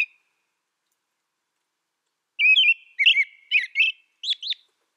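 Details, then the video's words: After a quiet opening, an American robin sings a quick sequence of warbled whistled phrases, ending with a higher, sharper double note. No other sounds. "American Robin Bird Song Sound"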